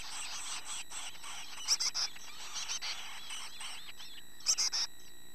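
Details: High, quick chirping runs from young chickadees close to adult plumage, broken by two bursts of louder, shrill squeaks, set against a faint steady electrical hum.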